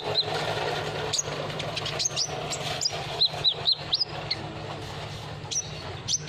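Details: Olive-backed sunbird lure sound: a series of short, high, sharp chirps and brief upslurred notes, scattered irregularly, over a steady low engine-like hum.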